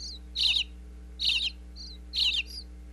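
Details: Baby bluebirds inside a Pennsylvania birdhouse chirp for food from their parents, recorded close up with a wireless mic: three clear, high, buzzy chirp bursts, each preceded by a thin faint note, spaced nearly a second apart.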